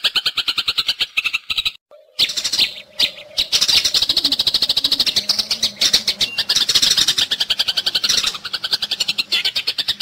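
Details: Eurasian tree sparrows in a fighting bout, used as tutor material for songbirds such as green leafbirds and magpie-robins: dense, harsh, high chirps in rapid runs, with a brief break near two seconds and a faint low steady hum beneath.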